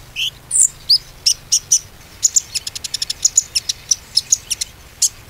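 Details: Lure song of a konin, played to set a quiet konin singing: sliding high whistles open, followed by sharp repeated chirps that speed into a fast trill, then spaced bright notes.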